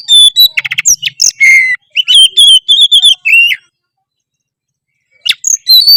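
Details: Oriental magpie-robin singing vigorously (gacor): loud, clear whistled notes and rapid buzzy trills, fast slurred phrases that rise and fall, then over a second of silence before a short burst of song resumes.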